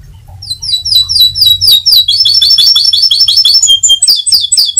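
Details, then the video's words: Atlantic canary singing in ngebren style: a fast, continuous stream of high, sharply repeated chirped notes, about four per second, gradually shifting into rolling trills and a few clear whistles. There is a faint low hum underneath. "SUARA BURUNG KENARI NGEBRENN."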